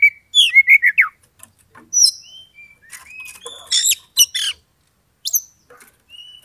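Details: Oriental magpie-robin song used to goad an opponent into fighting: quick descending whistled notes, clear sustained whistles, then harsh scratchy chatter and a high rising whistle, in uneven bursts.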